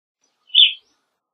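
An evening grosbeak gives one short, burry, fairly high chirp lasting about a third of a second, with silence all around it.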